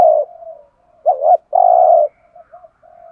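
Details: Spotted dove cooing, used to excite other doves into calling: a short low coo, then a warbled double note and a long steady coo, with faint soft coos trailing off afterward.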